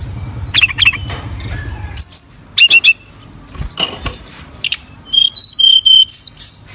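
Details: Flowerpecker in lively song, giving bursts of high sharp chips in quick clusters and then a series of thin short whistled notes, with a faint low rumble beneath.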